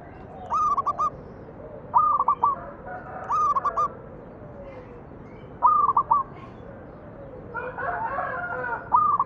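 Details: Manggung song of a local zebra dove, played to draw song from other doves; five or six quick stuttering coo phrases in irregular succession, with a softer blurred call near the end.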